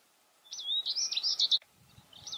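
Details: American goldfinch in winter at sunflower seed feeders, singing a rapid twittering phrase of high warbled notes lasting about one second, then a brief pause before another note begins.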